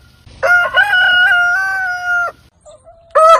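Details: Rooster giving a full crow: short choppy opening notes run into a long, slightly wavering held tone that cuts off sharply; a faint low note and the start of another loud crow follow.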